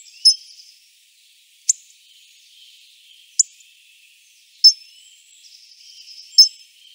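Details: Hawfinch giving five hard, high tick calls at uneven intervals, with thin sustained whistles and faint twittering from other birds in the background.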